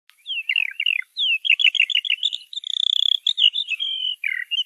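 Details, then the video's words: Songbird singing a sweet, varied song: quick falling chirps, fast trilled runs and a sustained whistled note, high and clear, with no background noise. "प्यारी चिड़िया की मीठी आवाज"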